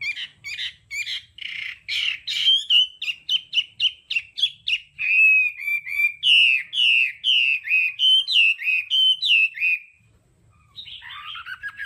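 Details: Hwamei performing đảo âm song as training audio: a long fast sequence of sharp clipped notes speeding past three a second, then rolling looped whistles, ending with a softer scratchy phrase.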